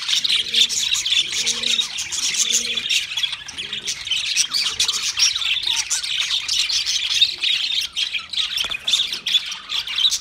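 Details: Multiple budgerigars kept as pets warble and chirp busily in a bright, rapid stream, while low paired hoots pulse about once a second in the first half, then fade out.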